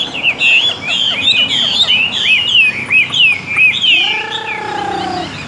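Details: Tame Chinese hwamei delivers rich, fast whistled phrases that twist up and down, then a long steady tonal note, possibly another sound, enters near the end and holds.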